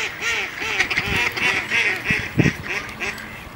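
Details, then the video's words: Ducks fighting on ice give rapid, harsh, overlapping agitated quacks, about three a second, with scuffling thumps underneath. "Duck Fight!"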